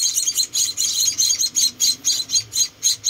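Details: Tiny munia chicks, four rescued babies, begging during feeding with shrill, thin chirps repeated quickly, around four per second, some notes doubled.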